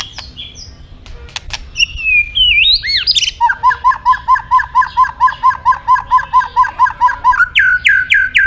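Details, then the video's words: White-rumped shama song meant to stimulate other caged birds to sing: opening whistles and a rising slurred phrase, then a steady rapid series of paired mid-pitched notes for four seconds, ending in high downslurred whistles. "Suara Terapi Burung Murai Batu Gacor Emosi"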